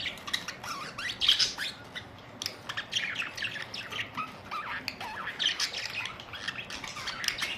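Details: Group of budgerigars, April 19, 2023, trading lively chirps, twittering warbles and short squawks in near-continuous overlapping chatter, louder bursts around one and a half and five seconds.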